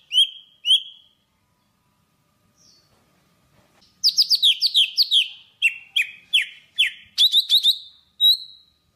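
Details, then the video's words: Java sparrow singing to call its flock: two short high chirps, a pause, then a rapid run of bright, downward-slurred chirps and clicks ending in a drawn-out whistled note. "Tiếng chim Thanh Tước hót gọi đàn"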